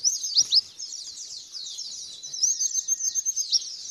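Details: White-eye song used as a lure to get a bird responding and singing: shrill, rapid twittering with thin whistled slurs and a few sharper, louder notes, steady and unbroken through the short stretch.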